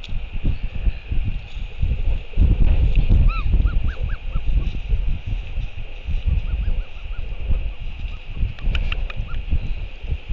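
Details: Royal albatross on a New Zealand nest cam at 7:58 pm, 28 March 2023, as the father arrives to feed the chick: a brief burst of arched, squeaky notes, later faint repeats and clicks, under constant loud wind.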